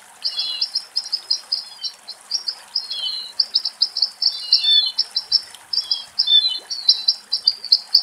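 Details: Western rock nuthatch in a forest in Greece, restless and coming to bathe in water: a rapid, torrential run of high, clear whistled notes and short trills, phrases tumbling almost without pause for eight seconds, over a quiet background.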